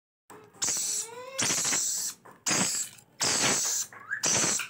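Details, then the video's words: Rainbow lorikeet babies begging during feeding: rhythmic harsh hissing rasps, repeated roughly every second, with a faint rising tonal squeal between bursts. "Rainbow lorikeets baby feeding"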